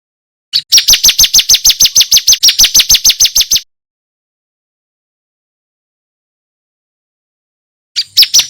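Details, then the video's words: A loud, clear burst from a male bar-winged prinia, recorded as tutor material for contest birds. About twenty sharp, high chirps rattle out at roughly six per second for three seconds. A long silence follows, then a new burst begins. "Prenjak putih jantan GACOR - Suara MASTERAN Ciblek kristal"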